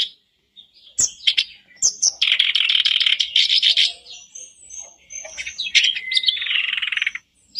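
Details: Daily lure of black-browed reed warbler song for a caged bird: sharp clicks, then a sustained rough churring chatter, a short high whistle and further grating phrases.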